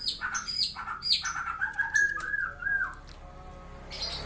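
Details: White-eyed black-winged myna, said to cough and talk, produces hoarse squawks and buzzy chatter with drawn-out bending whistles, fading into quiet indoor hum.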